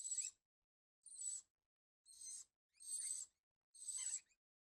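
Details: A cockatoo gives five short, grating, hissy screeches at a steady pace of roughly one per second. It is visiting a tree for food in the evening, with no other sounds around.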